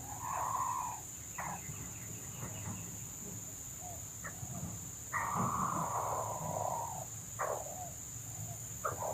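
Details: Wild red junglefowl near a trapper's lure, moving in and out, with hens arriving; two drawn-out, hoarse, level crowing phrases of about a second each, plus scattered short calls, over a constant high insect drone.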